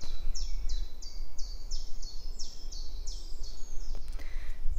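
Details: Common chiffchaff on a nature walk where aircraft often pass overhead, singing a steady run of about ten high, clipped notes, roughly three per second, over a low rumble of wind or distant aircraft.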